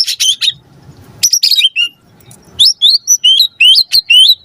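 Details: Murai batu, the white-rumped shama, singing lively as a lure to prompt a response: a few sharp chirps and pauses, then a fast string of bright upslurred whistles.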